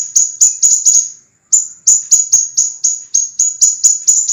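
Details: Scarlet minivet song for training caged birds: crisp, high, piercing notes repeated rapidly about four to five per second in two dense runs split by a short pause.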